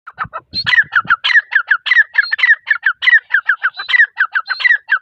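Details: Female grey francolin (teetar) calling: a fast run of sharp repeated notes, each phrase opening with a high squeal that drops into a chain of shorter clipped notes near the same pitch, with a few low thumps at the start.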